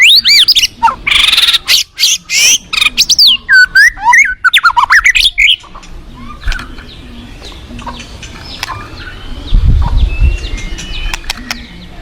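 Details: White-rumped shama in a forest, opening with a rapid burst of loud, harsh and whistled notes lasting about five seconds, then fading to faint distant calls over low background rumble.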